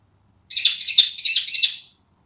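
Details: Wild Australian magpie in Australia producing one continuous, grating, chattering phrase of about one and a half seconds, made of four linked buzzy pulses, with silence around it.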